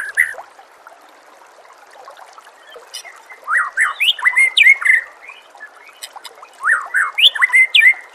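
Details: White-rumped shama singing on a training recording for caged birds, with nature sounds and trickling water: after a quiet start, clusters of quick slurred whistles, rising and falling, delivered in two lively bursts.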